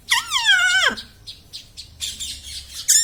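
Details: Pet rose-ringed parakeet kept indoors, a ringneck parrot taught to say words such as mummy, papa and radhe; a long rising-falling harmonic squawk opens, followed by quieter clicks and a short noisy burst at the end.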